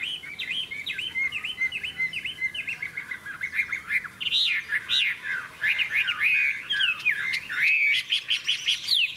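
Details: Caged Hwamei performing contest song, described as a bright yellow bird with a big tail that displays its wings. A run of repeated looping whistles at steady pace, then louder, more varied phrases of slurred notes and trills.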